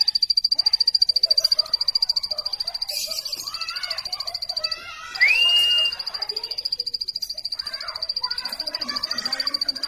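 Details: Plain prinia chirping: a rapid, even train of high ticking notes at one pitch, with a short pause midway where a separate rising whistled note sounds, over soft murmuring background noise.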